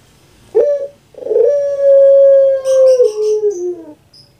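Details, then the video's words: A captive Barbary dove (puter pelung, Streptopelia risoria), kept for its distinctive call, gives a brief low coo, then one very long, drawn-out coo that slowly sinks in pitch; faint thin high chirps from small birds are heard. "KURANG AJAR BENER SUARANYA BIKIN PUTER PELUNG LAIN SAKIT HATI"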